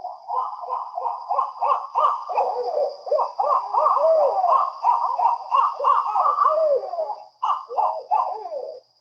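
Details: Several barred owls calling together in a very talkative 'party' of the kind heard at night at Brazos Bend State Park: dense, overlapping hoots, cackles and caterwauling notes for about nine seconds, after a brief pause.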